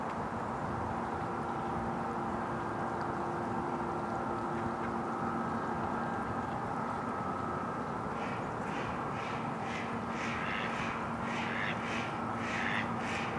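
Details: Adult mallards, male and female, at Domaine Maizerets on 27 March 2018; after about eight seconds of steady low hum, a rapid run of harsh, evenly spaced quacks begins and carries on to the end.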